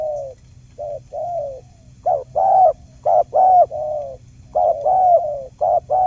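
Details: Spotted dove calling as a trapping lure for silent doves: soft opening coos building into louder repeated short-long coo pairs, low-pitched and mellow.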